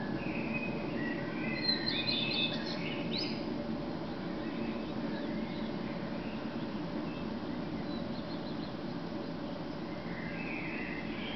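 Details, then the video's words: In Berlin at dawn, 4:15 on 10 May 2010, a male common redstart sings: a short phrase of high whistled notes breaking into fast twittering, then a quieter later phrase, under a constant low hum with more distant birdsong. "Common Redstart singing/ Gesang des Gartenrotschwanzes (Phoenicurus phoenicurus)"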